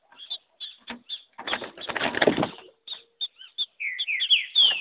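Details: A captive-bred female green-winged saltator, singing male-like and fighting out in the bush, gives short high chirps, then bright slurred downward-sliding whistles, interrupted by a burst of wing flapping.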